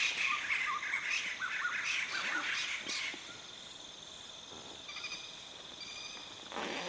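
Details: Laughingthrushes give a dense burst of chattering, squeaky chirps for about three seconds, then fall quieter, over a steady high insect drone; evening forest sounds near a stream before the jungle settles for the night.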